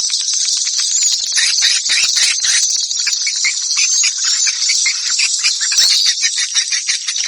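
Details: Batara guru swallow call: a constant high-pitched twittering made of quick, crowded chirps and ticks that blend into one buzzing wash, holding an even loudness from start to finish.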